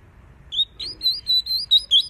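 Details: Double-collared seedeater singing its 'tui tui' style song, used to train a young bird and warm up a female: after a brief pause, a fast run of high, clear whistled notes repeated about six times in under two seconds.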